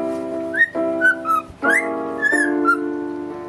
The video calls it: the cockatiel that whistles the song as her owner plays the electric piano